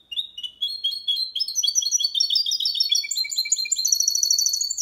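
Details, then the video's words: Training song of a goldfinch × canary mule in Malaga style: a quick burst of high chirps builds into fast repeated trills, ending on a sustained, rapid metallic roll. "Mixto jilguero cantando copia malaga _ Hybrid of goldfinch singing for training songs"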